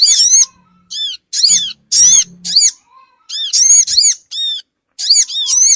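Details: Sogon bird calls played as a lure for small wild birds: shrill, bouncing, arch-shaped squeaks grouped in clusters, separated by brief silences, over a faint buzzing hum.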